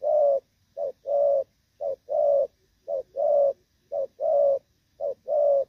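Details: Moulting Thổ Pha spotted dove, 3/6/2024, delivers loud, evenly timed rước and gù coos. A clipped lead note is followed by a sustained coo, with about six phrases spaced evenly.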